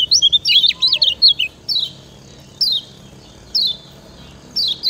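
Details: Lemon-bellied white-eye master song from Lombok for teaching other birds: an opening flurry of fast, high twittering notes, then lone descending chirps repeated at intervals of about a second.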